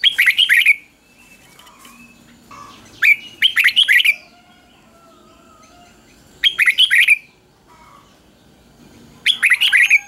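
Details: Easy three-syllable doubled song of a caged red-whiskered bulbul, played for young birds to copy: four short clusters of sharp, chirpy whistled notes spread across ten seconds, with soft chatter in the gaps.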